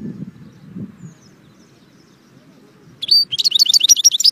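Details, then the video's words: After a few seconds of low background murmur, a goldfinch breaks into a loud, rapid phrase of high, tinkling notes. "saka kuşu"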